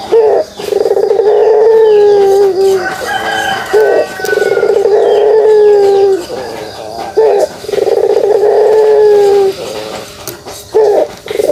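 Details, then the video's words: Repeated kugeruk calls from a pelung dove: long, deep, purring coos of about two seconds each, separated by short gaps, with a quick stuttering onset before each drawn-out note. "suara kugeruk burung puter pelung"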